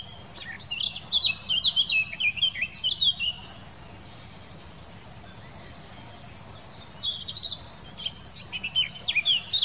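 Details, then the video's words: Song of a Eurasian blackcap recorded in 2018 in the Wittlich valley, Germany: a hurried warble of bright, sliding whistles, then a quieter stretch before another lively burst of clear notes. "Mönchsgrasmücke singt"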